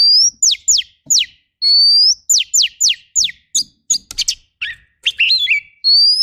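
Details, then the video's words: Oriental magpie-robin training song in the rough 'tembakan' fill-in style. Steep downward-sweeping whistles and long rising tones repeat, then a burst of clicky, twisting notes, with no other sounds. "MASTERAN KACER FULL TEMBAKAN KASAR"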